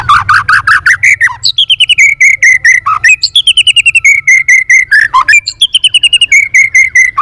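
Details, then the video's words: A White-rumped shama flicks its tail in competitive song, alternating lower rolling phrases with long fast trills of high whistled notes, each trill dropping into a short low swoop. "chòe Lửa đập đuôi hót đấu liên tục nhiều giọng"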